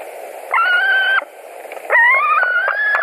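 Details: White-tailed eagle nest in Latvia, 11 July 2020, one bird back for dinner; two lower, sustained whistled calls with a rich harmonic tone, the second wavering and followed by soft clicks, over background hiss.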